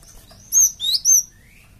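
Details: Java sparrow call used to entice flocking birds into replying; three clear high notes in quick succession, whistled and slightly wavering, followed by a faint lower rising whistle.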